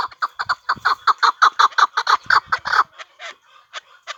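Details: Partridge calling in a fast run of harsh, clucking notes, about 15 in under three seconds, then fainter scattered notes trailing off.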